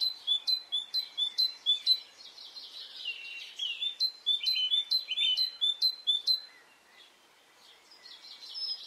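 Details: Brittany birdsong on a spring morning: two bursts of quick, high, sharply flicked notes at roughly two per second, separated by denser chirping, ending with a quieter stretch and a faint call.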